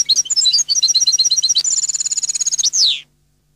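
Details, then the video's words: Neapolitan-style goldfinch song from a CD recording: a fast liquid twitter of varied high notes shifting into an even, rapid trill near the top of the range, closed by a drawn-out descending buzzy slur. "canto cardellino CD Napoletano jilguero canto"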